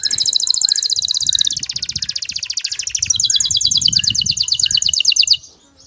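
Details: Male canary in breeding condition calling a female to mate: an unbroken run of rapid high trills, shifting between two pitch bands and speeding into a denser rattle, with faint low rumbling behind.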